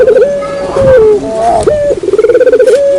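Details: Lure call of a Barbary dove: a short run of trilled, rolling coos alternating with long level notes that drop slightly at their ends.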